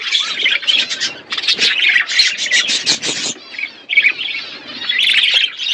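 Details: Pet budgies feeding on seeds in an outdoor aviary with natural surroundings; busy, scratchy warbles and chirps overlap in loud bursts, with a brief lull near the middle before the chatter resumes.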